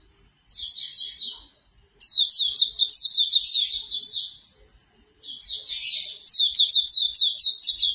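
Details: Hume's white-eye song, morning therapy track for getting a bird to start singing: rapid bursts of high, sweet, down-slurred chirps, about four per second, in three phrases broken by short pauses.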